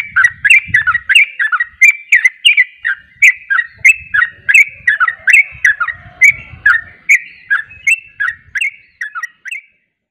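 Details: Sooty-headed bulbul in rapid 'ropel' song, joined by another bulbul. It gives a long, steady stream of loud, bubbly, warbled notes, roughly three per second for ten seconds, with a faint low rumble underneath.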